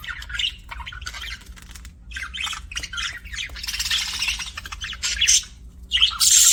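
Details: Happy budgerigar sounds: choppy chirps and squeaky warbles build to a dense, grating squawk burst, then quick chirps and a final loud harsh squawk.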